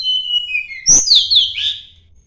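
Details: Sunda blue robin challenging a rival: a long whistle gliding downward, a click, then quick high slurred whistles rising and falling before fading.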